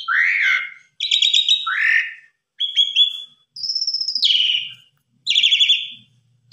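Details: Asian pied starling song used to train beginner birds: separate loud phrases about a second apart, rich rolling whistles, a falling slurred note and buzzy trilled whistles with silent gaps between.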